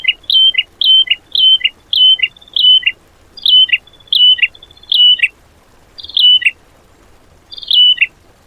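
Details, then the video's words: Cage-bird training material in the 'tembakan' style: a bird repeats short, sharp, downward-slurred chirping phrases about every half second to a second. The phrases run in an irregular series against a quiet background. "MATERI ISIAN BURUNG TEMBAKAN"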